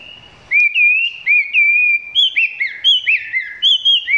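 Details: Chinese hwamei filmed up close, singing not yet at full intensity: after a half-second pause come loud, clear whistled phrases, long wavering slurred notes, then quicker looping upslurs and downslurs repeated in short bursts; no other sounds.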